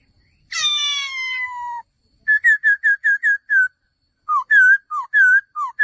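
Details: Male laughingthrush starting with a long, harsh descending note, then a quick run of short whistled chips and a looser set of looping, wavering whistles.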